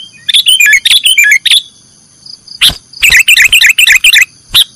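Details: Nggaruda-style song of a sooty-headed bulbul, recorded to train cage birds: a quick run of sharp twittering notes, a long silence, then a single note and another fast chattering phrase.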